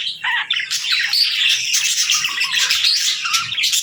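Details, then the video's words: High, tumbling chatter from a group of pet parakeets and lovebirds at the start of their day, thin whistled notes standing out over constant squeaky chirps. "Parakeet Morning Routine 🌞🦜 | Lovebirds Sounds for Lonely Birds 💛🐥"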